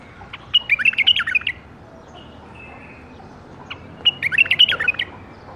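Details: Lively warbling phrases of rapid liquid whistles from a bulbul bred in captivity in the 2018 season, two phrases about three and a half seconds apart.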